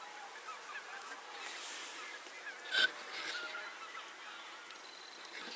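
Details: A group of geese gives a soft background of nasal calls, broken by one loud, sharp honk from a nearer bird partway through, then the chorus goes on.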